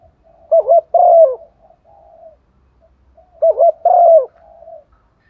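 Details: Female dove calling to attract a male, used to lure a decoy bird: two matching phrases of low, wobbling coos, each a quick double note followed by a longer drawn-out coo, about three seconds apart in otherwise quiet surroundings.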